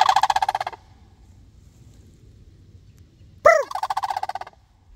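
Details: Sandhill cranes responding to a person: a rolling pulsed call, a pause, then a second call that begins with an arched tone and breaks into a fast rattle.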